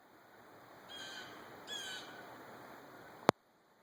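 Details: A blue jay in a wooded park on a hike on 26 March 2020 gives two harsh, raspy warning calls, each about a third of a second and under a second apart, over faint steady hiss, ending with a sharp click.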